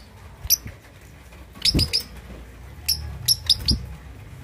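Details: Lovebird two and a half months old practising ngekek chatter, suited to provoking rival birds: bright high chirps in fast clusters of three or four, a single early note, with low thuds underneath.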